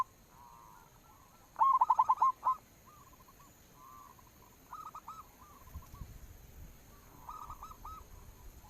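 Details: Local zebra dove lure recording: a clear burst of quick rolling notes, surrounded by several fainter, softer repeated phrases.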